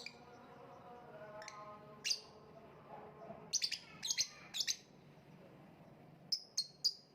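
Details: Lovebird chirping: scattered shrill, piercing single notes, then a quick cluster of rapid high chirps in the middle and three more evenly spaced sharp chirps near the end, with a quiet steady hum underneath.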